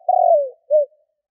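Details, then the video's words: Tail end of a spotted dove's 'kích bổi' lure call: a drawn-out coo sinking in pitch, a short pause, then one brief rounded closing coo, clean with no other sounds. "Cu gáy Kích bổi / Tiếng cu gáy gọi bôi"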